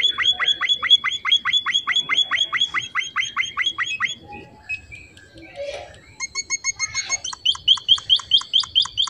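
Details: Busy filler song of a finch known locally as emprit: quick bright chirps in a long run, a short break with a soft rustling noise, then another rapid chirping series that grows louder again.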